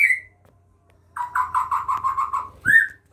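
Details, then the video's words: White-rumped shama of the Aceh form, bred in captivity, with a parent feeding its young: one quick run of about eight harsh, pulsing notes, framed by a whistled note on each side. "murai Batu Aceh sedang memberikan makan anak nya"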